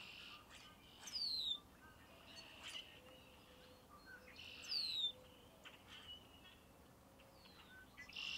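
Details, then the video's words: Red-winged blackbird song, faint and distant: two bursts about three and a half seconds apart, each a buzzy, ringing trill joined by a high whistle sliding downward, set against steady broadband background noise. "The Song Of Red-Winged Blackbird"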